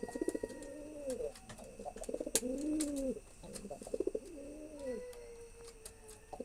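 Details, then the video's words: Male pigeon cooing to impress a female: deep, rolling coos rising and falling in arched phrases about a second long, repeated back to back with brief clicking or wing-flutter sounds between them, recorded indoors. "Male pigeon sound trying to impress female pigeon"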